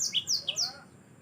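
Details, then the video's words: Brief phrase of yellow-fronted canary gacor song recorded for masteran use: four clear high whistled notes alternating between two pitches, the last one fading. "Mozambik anda pasti ikut Gacor"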